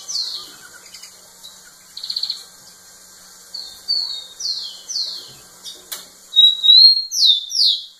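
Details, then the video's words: A rufous-collared sparrow repeatedly sings facing a female. Brief buzzy chips and soft descending slurs come first, then a sharp click. A strong song follows: a level whistle, then several steeply falling slurred whistles. "Tico tico cantando muito na cara da fêmea"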